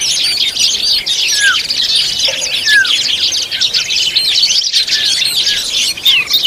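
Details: Oriental magpie-robin at feeding time with its young: a continuous thick mesh of high, thin chirps and squeaks, a few clearer downslurred notes standing out early on.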